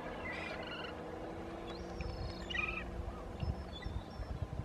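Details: Magellanic oystercatcher (Haematopus leucopodus) near the route to Rio Hollemberg, Magallanes Region, Chile, gives thin, high piping whistles, some short and some drawn out, scattered over a few seconds above a steady low rumble of wind.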